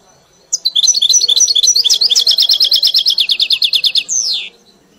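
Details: Tutored European goldfinch in a cage, 'mili' style: brisk twittering gives way to a steady rapid trill of repeated high notes, closing with a drawn-out descending slurred note.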